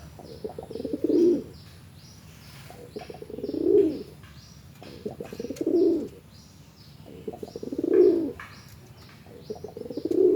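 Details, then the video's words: Pigeon bekur cooing in a steady rhythm. Deep, burbling coos repeat roughly every two seconds, each swelling and fading. Faint clicks and rustles fill the gaps between them. "SUARA BURUNG MERPATI LAGI BEKUR/ NGOROK SIRENG VC BRONTOK"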